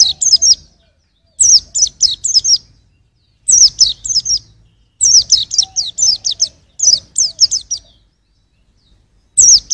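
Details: Pleci, a white-eye, singing as a tutor recording for songbirds: six or so bursts of three to five thin, high, downward-sweeping chirps, each burst under a second and separated by clean pauses of about one second.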